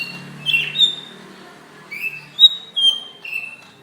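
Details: Sparse greater green leafbird fighting call, May 2016, used as a training model for other birds: a few clear, drawn-out whistles, some rising and some flat, separated by quiet gaps.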